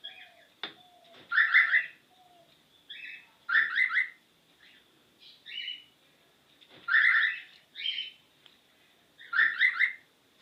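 A cockatiel repeats bright, electronic-sounding chirps that mimic a car lock's beeps.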